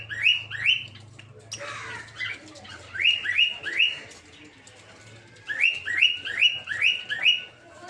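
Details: Captive peach-faced lovebirds in a breeding aviary, including opaline, dark green, blue rosy and lutino colour forms; runs of shrill, upward-sweeping chirps in quick groups of three to four, a brief harsh noise burst, and a steady low hum.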